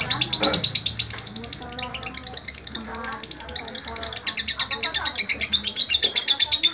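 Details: Kept lovebird giving tutor song for teaching other birds: high, buzzy pulses repeated about three per second, briefly interrupted by a lower swooping note and low-level background chatter.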